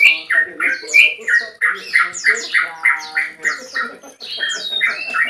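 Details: Male Yellow-vented Bulbul giving a long 'ropel' song to call a rival: a fast, chattering stream of bubbly chirps and rising slurred whistles, with faint low tonal hum underneath.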